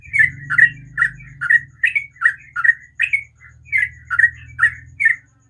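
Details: Sooty-headed bulbul repeating short, bright chirps about two and a half per second in a morning ropel song, with a steady low hum or engine-like drone underneath.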